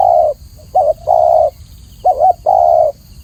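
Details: Close, clear spotted dove (tekukur) song: a long coo, then a short dipping note and another drawn-out coo, repeated, all low and mellow; faint high steady hum behind.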